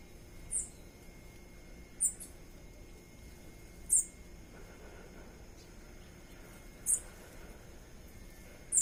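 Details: Five sharp, very high chip notes from a ruby-crowned tanager that has taken a banana at a bird feeder, spaced irregularly every one and a half to three seconds, over a faint steady insect-like whine.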